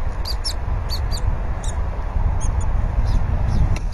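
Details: Bald eagle nest scene on a live cam on a February 2019 morning, one adult feeding the eaglet fish while the other does nest work; sharp high squeaks repeat irregularly above a constant low roar.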